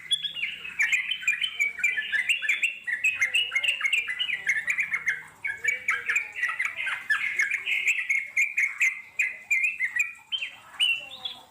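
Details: Extended ngeropel chatter from a wild Yellow-vented Bulbul. Harsh, squawky, bubbling notes pour out rapidly and nearly nonstop for over ten seconds, with faint low whistles in the background.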